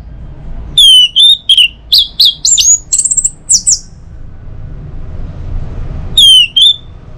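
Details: Orange-headed thrush singing in the morning to spur other birds into song: a rapid, varied run of loud whistled phrases, then a silence of about two seconds and a brief closing whistle.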